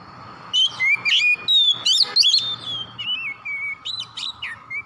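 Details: White-rumped shama singing in the morning, loud varied whistles with harsh rasping notes, then a series of shorter slurred whistles, over a steady low hum.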